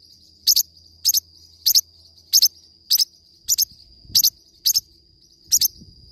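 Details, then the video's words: Forpus parrot singing, giving quick high-pitched paired chirps roughly every 0.6 seconds, with a constant shrill background whine and soft low thumps and rumbles. "forpus bird singing to day 1 hour , parrot sound"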